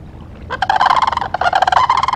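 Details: Ospreys at a nest in Charlo, Montana, 17 October 2023, on a live nest cam: loud, urgent run of rapid, rough-edged chirps repeated in two fast bursts with a brief gap, over quiet low background hum.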